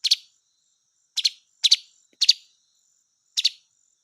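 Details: Sparse blue magpie calls: five brief, raspy double notes spaced irregularly, with a long pause between the first and second, against silence.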